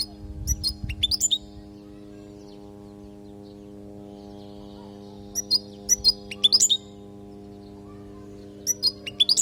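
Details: Caged European goldfinch from Palestine, recorded as a training song for young goldfinches: short bursts of high, sharp twittering notes, separated by pauses of a few seconds, over a steady low electrical hum.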